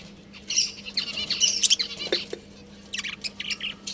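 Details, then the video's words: Pet budgerigars in a breeding colony, kept at home, chirping busily: dense overlapping high warbles, squeaks and buzzy chatter from several birds, with bursts of sharp clicks and tweets around the middle and short scratchy notes toward the end, over a steady low hum. "Budgies Chirping Sounds"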